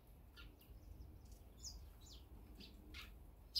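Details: Eurasian tree sparrows feeding rapidly at a feeder while bulbuls are absent give brief, high chirps at irregular intervals over a steady low outdoor rumble.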